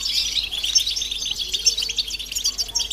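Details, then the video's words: Collective twittering of European goldfinches, mating and readiness calls meant to stir males into singing: dense, overlapping high chirps and trills, bright and continuous, with no other sounds. "بتبتة جماعية رهيبة لتحفيز الحسون على التغريد والهيجان"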